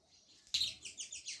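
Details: A sparrow gives a run of quick, high chirps after a sharp click, about five notes in under a second, over faint background hiss.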